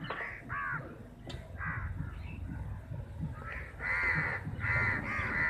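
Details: Crows competing for chapati give scattered harsh caws, sparse at first, then a louder cluster of three caws toward the end.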